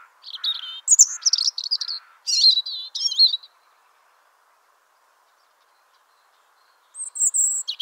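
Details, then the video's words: Wild European robin singing in spring: a run of high, thin, twittering and trilled phrases lasting about three seconds, a long pause, then a fresh high, sweet phrase begins. "chants , cris du rouge gorge HD/songs , calls european robin HD"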